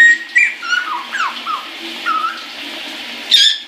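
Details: Caique kept as a pet, singing happily in the shower: a handful of falling, slurred whistles and short chirps spaced about a quarter second apart, over a steady hiss of running water, ending with a sharp high squeak.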